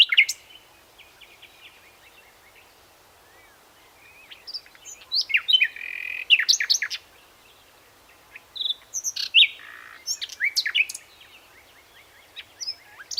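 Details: Song of a common nightingale, Luscinia megarhynchos: quiet at first, then bursts of sharp chirps, trills and whistled notes in separate phrases divided by short silences.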